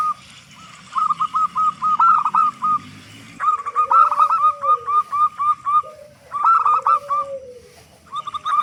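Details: Local zebra dove with a loud voice, singing steadily as a lure to get other zebra doves calling quickly. Rapid staccato cooing notes, about four per second, come in bursts separated by brief pauses, with lower drawn-out swooping coos underneath.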